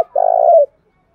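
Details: Spotted dove cooing to lure and provoke rival wild doves: one sustained, low, purring coo of about half a second that slurs down at its close, with a faint click at the start.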